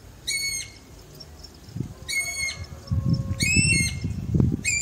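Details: Guira cuckoo recorded on a rural smallholding in Bahia, Brazil: four loud, harmonic-rich, fairly level calls roughly every one and a half seconds, over rumbling low-pitched background noise and rustling.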